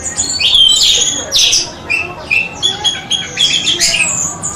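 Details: Indonesian training recording of an orange-headed thrush: dense, scratchy song of high whistles and harsh bursts running together over steady background hiss.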